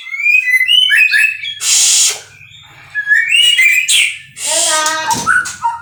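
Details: Captive-bred white-rumped shama delivering loud fluting whistles, each phrase cut by a grating rasp; a stuttering series of descending notes closes the passage.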